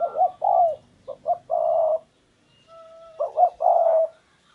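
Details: Spotted dove acting as a perched decoy for a wild dove, delivering two bursts of deep hollow cooing, each with short notes leading into a longer drawn-out coo.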